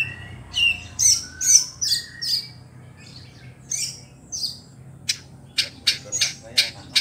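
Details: White-rumped shama in song meant to provoke rival shamas: sharp, high whistled notes and short bursts repeated in uneven clusters, then a run of quick, bright chips near the end.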